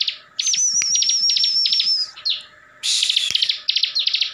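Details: A caged bar-winged prinia, locally called ciblek, from Tegal, Central Java, in full ngebren song that rouses other ciblek. It opens with a sustained high quavering whistle over rapid ticking notes, then shifts into a harsh buzzy burst with quick repeated chips.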